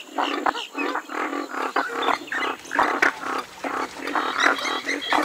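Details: Western swamphen (Porphyrio porphyrio) uttering a steady string of coarse, nasal cackling notes, about two each second, with occasional sharp knocks heard.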